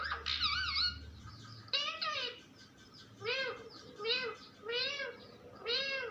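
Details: Parrot speaking in childlike, word-like bursts repeated about once per second, each arching up and down in pitch, with a brief low hum at the start.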